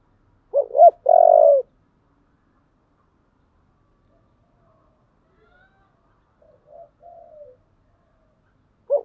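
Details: Spotted dove with a 'giọng thổ' voice, roused to fight: one low cooing phrase with a short rolled note and a long, steady coo near the start, then long silence with faint, broken coos later and a last coo beginning at the end.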